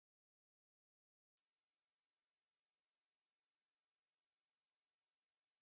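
Near silence: a second of dead quiet, then a faint high hiss and a sharp click at the very end.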